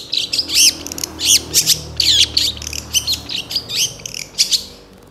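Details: Long-tailed shrike (cendet) singing a vigorous, fill-in-rich song with rapid bursts, used as a master recording to train songbirds; dense scratchy, squawking high notes in quick uneven bursts with short gaps.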